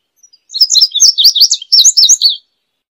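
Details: Indigo bunting singing a high, quick song of about two seconds: paired, slurred chirps tumbling up and down, some notes doubled, with no other sounds behind it.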